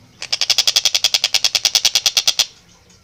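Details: In a single long burst of about twenty evenly spaced, harsh buzzy notes delivered fast over two seconds, a Long-tailed shrike sings actively with a clear voice and tight tempo.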